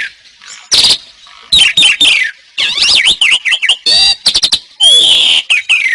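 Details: Training song of an Asian pied starling: after a quiet start, loud harsh rasps, looping whistled notes and grating bursts follow in quick succession, ending in a long buzzy note.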